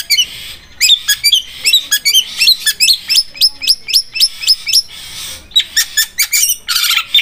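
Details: Long-tailed shrike, Armageddon style song likened to a sharp sewing machine: steady series of high, upslurred chirps in quick rolling succession, ending in a dense buzzy burst.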